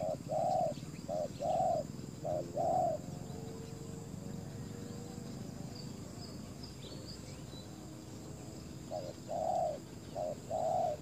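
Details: Spotted dove used as a decoy for wild doves, paired coos at the start and end with a quieter stretch between holding faint tonal notes and soft chirps over low background noise.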